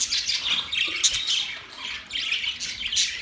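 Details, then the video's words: Short burst of budgerigar morning chatter from 1 October 2023: bright twittering warbles and a few sharp squeaks, dropping briefly quieter before picking up again. "Beautiful morning birds chirping sounds"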